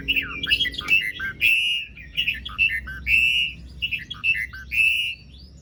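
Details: Asian pied starling song used as a lure for starlings that have stopped singing; mellow warbled and whistled phrases, slurred and gurgling, coming in short runs about every second.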